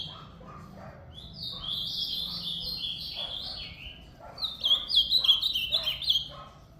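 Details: Ultramarine grosbeak song: a quick warbled phrase of high notes that slide downward in steps, given twice with a gap, over faint lower chirping and a background hum.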